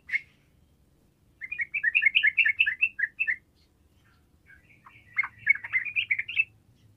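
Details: Yellow-vented bulbul, a prolific singer used to provoke mute bulbuls: one sharp opening note, then a fast chain of bubbly chattering notes, a pause, and a second, rougher jumbled phrase.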